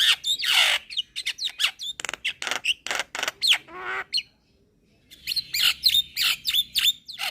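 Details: Young Javan myna singing energetically while bobbing its head, a rapid jumble of harsh chatters, clicks and sharp whistled notes. A brief pause comes about halfway before the varied chattering resumes.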